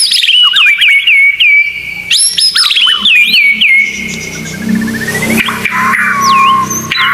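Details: White-rumped shama masteran with full 'isian tembakan': bright whistled bursts of fast down-slurred notes ending in held tones, followed by softer scattered whistles over a low background hum.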